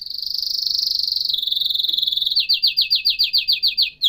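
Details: Canary song: a very fast high rolling trill that steps down slightly in pitch, then breaks into slower, separate down-slurred chirps repeated about three per second.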